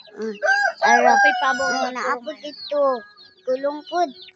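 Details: Native Bisaya chickens, raised on a farm alongside turkeys, give harsh, harmonic crowing and clucking in several bursts, loud and stretched in the first two seconds, with a man talking over parts of it.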